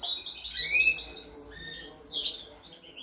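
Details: Goldfinch × female canary hybrid finishing its moult, 2022, sings a fast, high, tinkling warble of twitters and trills, with a brief slurred dip near the end; nothing else is heard.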